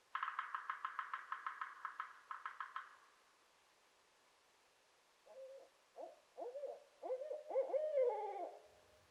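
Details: Pair of wild barred owls calling at dawn in early spring, located by following an angry crow. The clip opens with a fast rattling burst of sharp pulses, then after a pause come wavering, rising and falling owl hoots and cackles.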